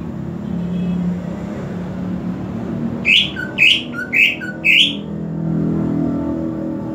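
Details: Cucak ijo, the greater green leafbird, kept at home, sings four bright rising whistled notes in quick succession, each with a lower dropping tail, after several seconds of low droning background noise.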